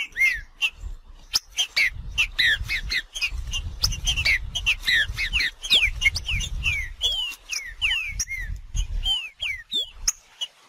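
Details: Green-winged saltator in nature singing macheando: a long run of chirps, clicks and slurred whistles, later clearer falling and rising whistled notes, over an intermittent low rumble.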